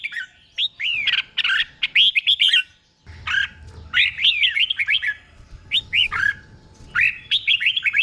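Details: Caged-bird tutor song of a red-whiskered bulbul, delivered in doubled 'bern' phrases: bubbly chains of rising and falling whistled notes, with four lively bursts and brief gaps between them.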